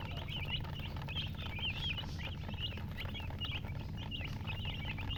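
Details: Chicken chicks keep up a busy chorus of shrill, squiggly peeps, each note rising and falling quickly, repeated many times a second against a droning low hum.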